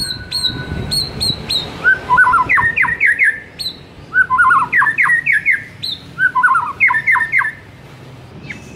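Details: White-rumped shama master song played to rouse a silent shama: high whistled notes alternate with tumbling, chattering phrases of quick slurred notes, repeated in bursts about every two seconds.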